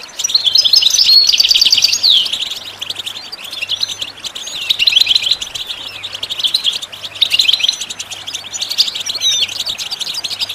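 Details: Goldfinch song used as a tutoring tape for chicks and songbirds: fast, high twittering with buzzy trills and sliding whistles, delivered in bursts separated by quieter gaps, over a faint low hum.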